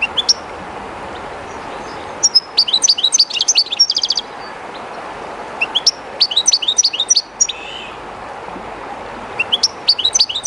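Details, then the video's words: European goldfinch kept by its owner and brought to the Jerte River's edge sings three separate bursts of high tinkling twitters and buzzy trills, each a second or two long, with quiet gaps filled by steady river noise. "JILGUERO CANTANDO EN EL RÍO/Goldfinch singing in the river/Chardonneret chantant dans la rivère"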